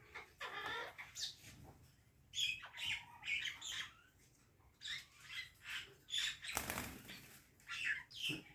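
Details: Parrot chirping and squawking: harsh, raspy bursts of about half a second, some with short whistled notes, repeated irregularly with brief gaps, fairly loud and close, with no other clear sounds.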